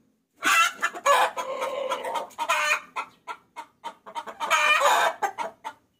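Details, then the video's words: A hen calling for the rooster, lure sound: long loud harsh squawking bursts alternating with faster, quieter clucks, ending in another drawn-out squawk. "Suara Pikat Ayam Betina Memanggil Jantan"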